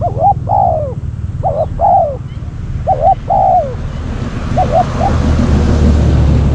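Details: Spotted dove calling during decoy trapping of wild doves: repeated two-part coos, a quick note then a drawn-out falling coo, followed by a fainter coo as hissing background noise rises, with a constant low rumble throughout.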